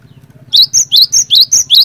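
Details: Cinereous tit (glatik batu), an eager singer whose song is meant to prompt other cinereous tits to sing: seven loud, ringing whistled notes alternating a rising slide with a flat high tone, quick and rhythmic, faint hum beneath.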